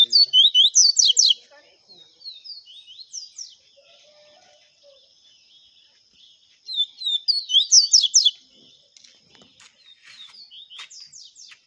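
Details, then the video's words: Double-collared seedeater in the clean viviti song style: bursts of rapid, high, sharply falling whistled notes, pausing between phrases, with a steady faint high tone throughout and a few quieter chirps. "COLEIRO VIVITI canto LIMPINHO"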